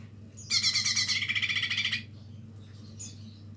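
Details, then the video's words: Lesser green leafbird learning to sing: a dense, harsh, rapidly pulsed rattling chatter lasting about one and a half seconds, high and buzzy, followed by quiet with a faint high chirp near the end. "cucak ijo mini belajar bunyi"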